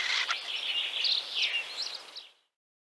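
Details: A short burst of Common Starling song from Central Russia, warbling squeaks and chatter that fade out abruptly into silence.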